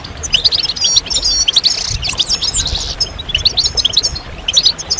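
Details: Group of European goldfinches singing together, meant to stimulate males and bring them out of moult and silence; dense, high, tinkling twitters and liquid trills overlapping continuously, with brief buzzy bursts among the chatter.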